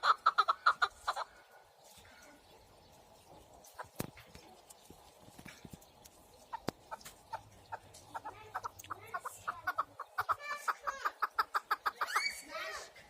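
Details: Partridge calling in bursts of quick, harsh repeated notes, a rapid run at the start, then scattered single notes and clicks before a second accelerating series near the end.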